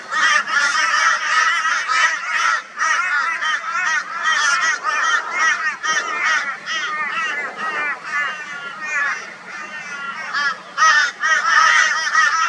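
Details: A flock of crows joining forces to torment a barn owl, Brisbane, Australia, February 2022: a dense, continuous chorus of harsh, nasal caws from several birds overlapping at high volume, with brief lulls.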